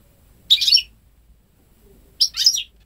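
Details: Ten-month-old home-bred goldfinch × canary hybrid, hatched May 2013, singing goldfinch phrases without having heard a male canary; two tinkling twitter phrases nearly two seconds apart.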